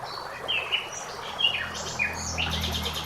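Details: Common blackbird song in a forest with flowing water: a quick run of clear whistled notes, some sliding down, others short and chirpy, over a soft background hiss of water.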